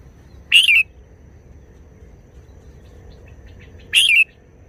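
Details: Red-whiskered bulbul calling in short bursts: two single sharp, bright, slightly slurred notes about three and a half seconds apart, from a singer known for short wild-style phrases.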